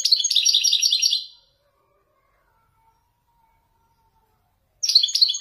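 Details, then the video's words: European goldfinch, a caged Widani male, in authentic Marrakech nzoulat song: a rapid, bright twittering phrase that fades, a long silence, then another burst of tinkling chatter begins. "حسون ويداني يتفنن بالنزولات المراكشية الأصيلة"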